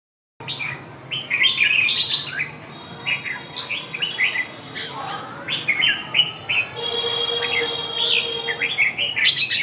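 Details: Red-whiskered bulbul song: rapid bright chirped and whistled notes tumbling at about three per second, short rising and falling slurs, with a steady high electronic-sounding tone joining in the background during the last few seconds.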